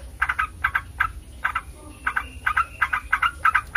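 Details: Yellow-vented bulbul training recording aimed at making other bulbuls reply: short bursts of two or three bubbly notes, repeated in quick groups with brief gaps.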